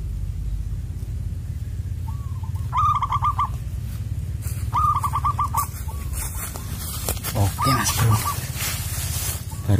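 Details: Zebra dove with a rare, loud, echoing "koong" voice, called in during a trapping session at lime sticks. Three bursts of fast stuttered coos end in drawn-out notes, a softer distant call comes before them, and constant low background rumble and clatter are heard.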